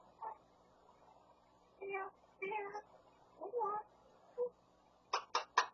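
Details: Grey parrot imitating speech and hammer sounds: several short, speech-like syllables spaced over five seconds, then three sharp, evenly spaced knocks like hammer blows at the end, in a quiet indoor setting.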